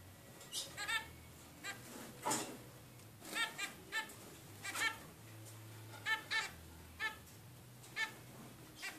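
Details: A 22-day-old young zebra finch gives short, nasal, buzzy calls, about a dozen in nine seconds at an uneven pace, over a faint low hum.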